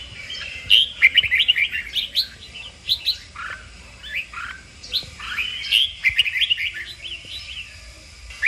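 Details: Red-whiskered bulbul kích bổi training song. A steady stream of short, varied whistled phrases, slurred up and down, with a dense loud burst near six seconds.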